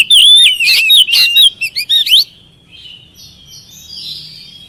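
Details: Oriental magpie-robin song as a lure to prompt singing: loud wavering whistles and rapid chirps for two seconds, followed by faint distant twittering.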